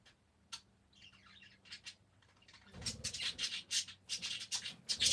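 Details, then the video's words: Parakeets chattering in a room, soft scattered chirps building into a dense stretch of harsh, rapid squawky notes with some low background rumble. "Peaceful #parakeets"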